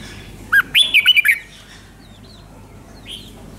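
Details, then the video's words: Red-whiskered bulbul from Thailand singing a five-syllable song in the doubled 'beun 2, beun 3' style: a single quick phrase of about six bright, warbled, up-and-down notes, then only a low background hum. "เสียงนกกรงหัวจุกเบิ้ล2 เบิ้ล3 เพลง 5 พยางค์"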